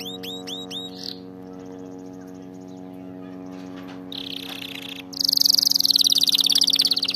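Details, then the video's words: Canary song used for training canaries to sing; a few rising looped whistles, then a pause, then a loud rapid buzzing trill over a constant low hum. "أفضل أغنية لتدريب طائر الكناري على الغناء الصحيح"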